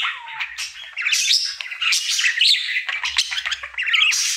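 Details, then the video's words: Male budgerigar kept as a pet, singing his daily routine: a busy warble of chirps, clicks and short upward whistled notes, rising and falling in quick runs without long pauses. "Budgie singing for 1 Hour Happy song!"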